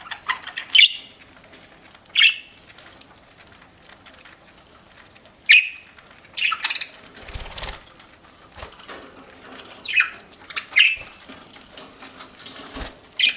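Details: A parakeet eating, with scattered sharp single chirps a few seconds apart over rustling and a soft crunching thud.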